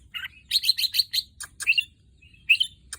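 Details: Red-whiskered bulbul just over a year old, a kept breeding bird whose offspring included albino and pied young, gives a rapid run of five chirped notes, then a pause and two slurred whistled phrases, with sharp clicks.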